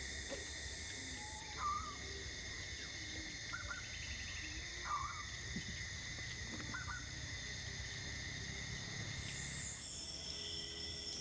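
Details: Cebu Boobook, a Philippine endemic recorded in the Visayas, giving short, slightly rising hoots spaced a few seconds apart, fairly faint against a steady high drone of night insects.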